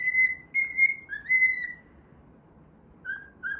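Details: Cockatiel whistling a tune during play: several long, steady, pure notes, then a silent gap and two shorter dipping notes at the end.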